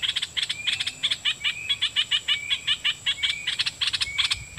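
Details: Caged decoy red-whiskered bulbul singing at wild birds in doubled song phrases: a fast, even run of short clipped chattering notes, about four per second, with brief thin rising whistles between them and a steady faint high hum behind.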